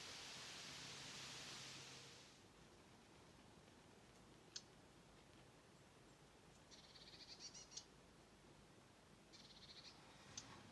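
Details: Eurasian reed warbler clicking in the reeds at Mingen, Njurunda, on 22 July 2023, giving faint dry clicks and brief chattering bursts a few seconds apart after an opening rush of hiss. A blue tit also joins in.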